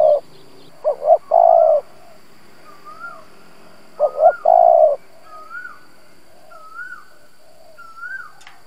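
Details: Spotted dove lure bird used to excite wild doves: two low three-part coo phrases, while another bird gives repeated thin, rising-falling whistles in the background.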